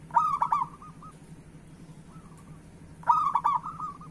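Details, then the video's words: Zebra dove, a local perkutut, cooing to coax other doves into song: two loud bubbling, rolling coos three seconds apart, with a faint trilled coo from another dove in the quiet gap. "Perkutut Lokal Gacor Suara Pancingan Burung Perkutut Paling Cepat Bunyi"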